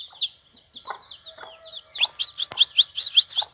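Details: European goldfinch singing in spring weather: thin twittering phrases, then a run of sharp bright chirps repeated about five times a second, rising in loudness toward the end.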